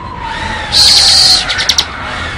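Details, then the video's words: Bar-winged prinia giving a single buzzy, sustained high note followed by a few quick chirps, in ngebren style, over a faint steady background hum. "Suara Burung Ciblek Ngebren"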